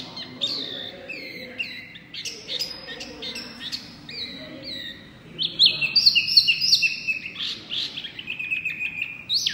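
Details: Small white-eye singing loudly, a busy stream of high chirps and sweeping whistled notes that grows louder and denser in the second half.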